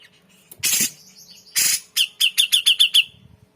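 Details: Grey-cheeked bulbul singing energetically, from a tutor recording meant to stir magpie-robins and white-rumped shamas; two harsh, noisy bursts lead into a quick run of about seven sharp, bright chips in a steady rattling series.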